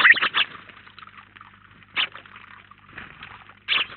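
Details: House sparrows, a flock of about nineteen birds gathered at a feeder in Collado Villalba, giving short bursts of harsh chirps at the start, near two seconds and near the end, with quieter twittering between.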